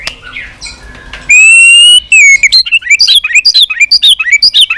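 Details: White-rumped shama, a tame, vigorous singer with many song variants, suited for use as a lure: a quiet start, then a long loud pure whistle, followed by a rapid run of varied sharp chirps and upward-flicked notes, about three per second.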